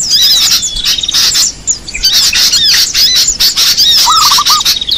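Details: Lure calls of small birds: busy high twitters and chirps from several birds, a pause of quieter chatter, then a short lower pulsed trill near the end.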